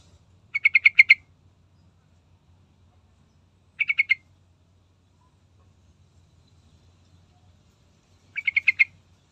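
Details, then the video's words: Lively yellow-vented bulbul song meant as a lure for other bulbuls: three short chattering bursts of rapid bubbly notes, the first and last longer, separated by pauses of about three to four seconds, with low background hum. "Dengar Trucukan Gacor Full Isian"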